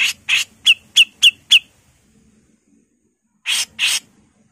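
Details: A female grey-cheeked bulbul gives two broad, raspy notes and four quick, clear, down-slurred whistles. After a long silence come two further rough, buzzy rasps, all in the harsh 'mbesetan' style.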